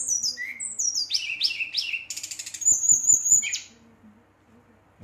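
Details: Brown-chested jungle flycatcher singing at night in a fierce display aimed at rival birds: a cascade of descending whistled slurs, a buzzy rattle, then a long steady high trill before falling silent.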